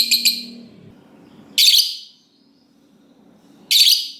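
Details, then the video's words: Lovebird in the long 'ngekek' singing style, used as a lure to make other lovebirds sing: three brief bursts of harsh, high chattering chirps about two seconds apart, with quiet pauses between. "Lovebird Ngekek Panjang Ampuh Lovebird Apapun Jadi Gacor dan Rajin Bunyi Panjang"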